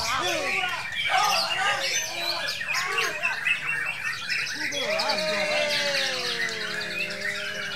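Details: Champion white-rumped shama at a songbird contest pours out rapid, varied chattering and sharp whistled phrases, several notes per second, over other birds, applause and human voices.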